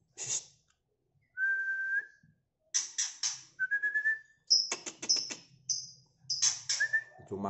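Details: A male White-rumped Shama of the Medan type, after its second moult and singing at loud volume: clear, slightly rising whistles alternate with sharp chips, rattles and high ringing notes in quick, varied phrases, indoors with no other sounds.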